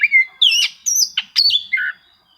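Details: Oriental magpie-robin seeking rivals, a song that prompts quiet birds to sing; five loud, rich whistled phrases, some sweeping upward, others dropping steeply, ending in a lower warble.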